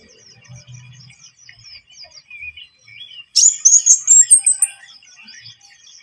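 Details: Javan munia song offered as a lure for catching birds: soft, faint twittering notes at first, then a sudden loud burst of rapid, very high chirps lasting about a second before fading back to quiet twitters.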